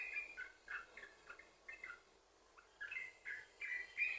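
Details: Yellow-vented bulbul in full, chatty continuous 'sambung ropel' song, used as a lure to prompt other bulbuls to sing: short bubbly whistled notes, alternately rising and falling, in quick bursts with brief pauses, over faint background hiss.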